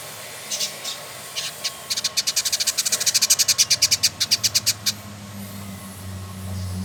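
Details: Male village indigobird from Bandung, West Java, Indonesia, caged: a few high chips lead into a quick, regular rattle of buzzy pulses lasting about three seconds, then quiet with a low hum.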